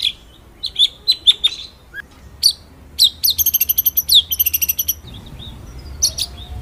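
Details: White-rumped shama song used as master for training birds: sharp high notes and chips, then a rapid rolling series of crisp notes, ending in sparse high calls.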